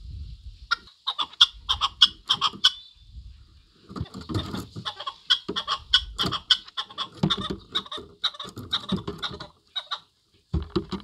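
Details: Chukar call: bursts of rapid, rasping clucks that run together, interrupted by low rumbling background noise and a short quiet gap near the end.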